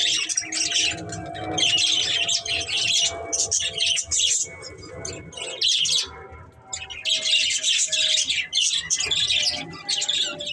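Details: Budgerigars, a caged breeding pair, chatter in bursts of high, scratchy twittering broken by short gaps, with a few thin whistled notes mixed in.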